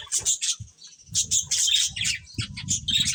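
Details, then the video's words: Several colourful budgerigars give quick, sharp chirps and squeaky warbles in clustered bursts, over soft low rumbling noise. "Colourful Budgies Chirping Sounds"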